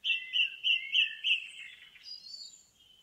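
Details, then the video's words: Indigo bunting singing in a forest: a bright, sweet phrase of paired whistled notes repeated about five times at a steady pace, then fading into softer, higher slurred notes, with a quiet background. "Indigo Bunting in the Forest"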